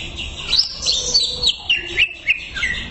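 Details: A short, lively phrase from a greater green leafbird, with rapid twittering whistles that rise and fall and about half a dozen sharp accented chirps in three seconds.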